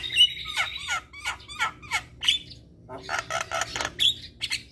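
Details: Javan myna song, meant to be played to stressed mynas that have stopped singing: harsh chattering notes and short squawks in quick bursts, with brief bright whistles, a low steady hum underneath.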